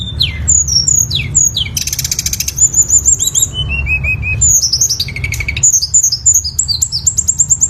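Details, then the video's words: Lesser shortwing in full varied song: downslurred whistles repeated in series, a harsh buzzy burst, level high whistles, a falling run of short notes, then rapid chattering trills and more slurred whistles. "suara burung tledekan gunung"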